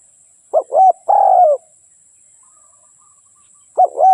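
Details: Spotted dove song, a short double coo followed by a longer drawn-out falling coo, then a pause and the phrase beginning again; otherwise quiet.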